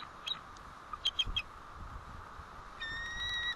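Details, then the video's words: At the White Rock nest, 1 April 2012 near 10:06 am, a bald eagle gives alerts as the male comes back: short high squeaky notes in small clusters, then a long steady thin whistle near the end. "Dad Back In..Alerts!"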